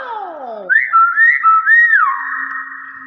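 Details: Whistled phrase from a common hill myna, with a quick run of wavering, arched notes then a long level tone, following a short descending voiced sound.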